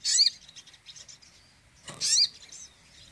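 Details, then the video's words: Crimson sunbird giving two sharp, very high, squeaky bursts about two seconds apart, with faint thin twittering between. "TEMBAKAN SOGON AMPUH DONGKRAK EMOSI SOGON KURANG ON!"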